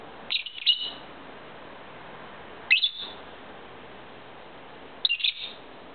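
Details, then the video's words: A two-year-old pet lovebird singing to its owner: three short bursts of high squeaky chirps, spaced about two seconds apart, over a steady hiss. "MY LOVEBIRD SINGING"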